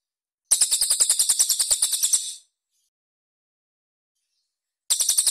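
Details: Cililin rough, closely spaced song bursts from a training master recording for songbirds: a sharp, very high pulsed trill of about two seconds that fades at the end, silence, then the trill resumes abruptly.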